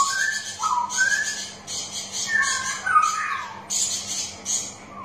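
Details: {'caption': 'Straw-headed bulbul song meant to provoke silent birds into singing: loud fluty notes repeated in short phrases roughly every second, each swooping down then up, with harsh high chatter between them.'}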